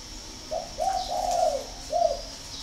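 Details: Spotted dove from a breeding farm in Ba Vì, Hanoi, giving a short coo phrase: a clipped note, a longer smooth coo, then a final short coo, over a faint high whine.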